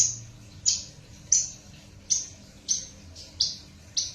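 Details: Hybrid bush lark of Java female and parfa male parentage giving thin high clipped notes at a measured pace, seven in about four seconds, fairly quiet.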